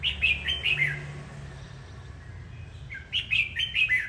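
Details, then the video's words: Singing red-whiskered bulbul giving two phrases of four or five quick, bright, slurred notes each, separated by a pause of about two seconds, over a low background hum. "Chào mào hót múa"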